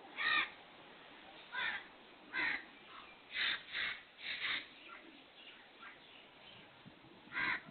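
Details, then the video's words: A black francolin's scratchy, rasping calls come in uneven bursts, some paired, against a low hiss, with one last harsh note at the end. "KALA TEETAR | BLACK FRANCOLIN | TETAR VOICE"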